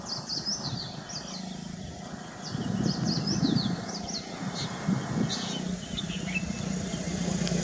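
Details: Black drongo chattering: a quick run of short, sharp, high downslurred chirps over the first four seconds, then scattered single notes, over a constant low rumble of traffic.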